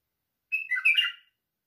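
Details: White-eared bulbul song: one short, bubbly warbled phrase of under a second, notes jumping up and down through the mid-high range, with no other sounds.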